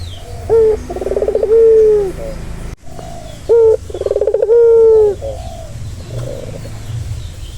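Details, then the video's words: Soothing turtle dove call meant to calm a stressed bird. Two full coos about three seconds apart, each a short note, a rapid throbbing trill and a long drawn-out low coo. A softer trill follows. "Suara santai yang bisa mengobati burung puter yang lagi stres"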